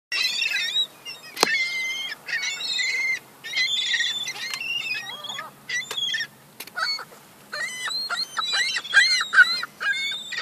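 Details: Young gulls fighting over crumbs: a busy jumble of shrill, squealing, harmonic-rich calls, some rising then falling, given in rapid overlapping bursts with brief quiet gaps.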